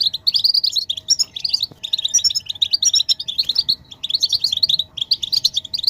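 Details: European goldfinch twittering used to stimulate a male to sing: rapid bursts of tinkling, liquid high notes and buzzy trills in short phrases with brief pauses, steady low hum behind.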